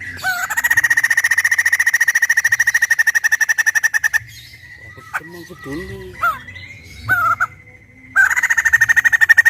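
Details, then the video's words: Loud laughing chatter from a captive white-crested laughingthrush: a long rapid run of evenly repeated notes for about four seconds, a quiet gap with a few swooping calls, then the fast series starts again. "Suara Lantang Burung Poksay Jambul Putih"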